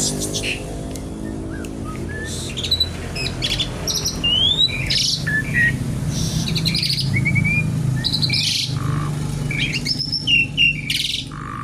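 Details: A Javan pied starling sings in kretekan style, mixing short upslurred whistles, squeaky chips and scratchy bursts in an irregular run, with a strong low hum beneath.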